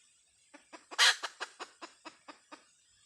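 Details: Hen chicken, "Dib tsauj" call: a brief run of about ten short clucks, with one louder harsh note near the start, set over a faint steady high hiss.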